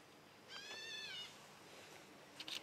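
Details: White-bellied green pigeon recorded 22 February 2012 at 10:43; a single wavering, mewing whistle with bright harmonics lasting under a second, then faint background hiss and a brief burst of clicks near the end.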